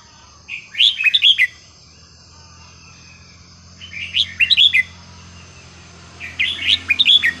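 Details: Red-whiskered bulbul, its song used to tutor young birds, delivering three quick chattering whistled phrases about every three seconds, each a tight burst of bright up-and-down notes, with a faint steady high hum behind.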